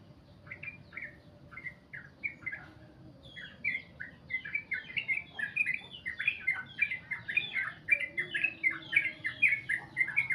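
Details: Sooty-headed bulbul's long 'goklik' song, starting with spaced chirps that quicken into a dense, steady chatter of downslurred notes repeated several times per second.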